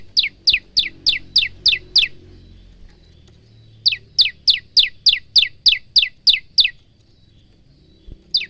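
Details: Male bar-winged prinia singing loudly, used as tutor song for cage birds: two bursts of rapid high downslurred chirps, about three per second, separated by a pause, with one final note.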